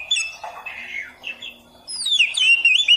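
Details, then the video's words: Training song of an oriental magpie-robin for beginners: soft scratchy warbling gives way to loud, clear whistled notes that rise and fall in a fast, varied phrase. "masteran Burung Kacer Khusus Pemula"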